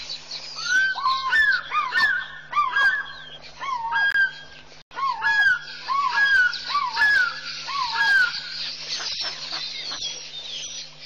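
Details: African fish eagle perched atop a tree at Pete's Pond, 7 May 2015, gives loud ringing yelps in quick overlapping series, with a steady low electrical hum underneath. A Goliath heron is below.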